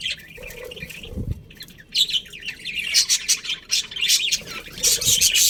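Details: Colourful budgerigars from a colony with a breeding pair: soft warbling at first, then from two seconds on a busy mix of sharp, bright chirps and squeaky twitters from several birds.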